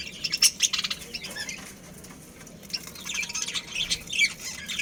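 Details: Budgerigars from a colony with a breeding pair give bursts of sharp, high chirps and chatter, quieter in the middle, then a renewed lively round of overlapping twitters with some fluttering.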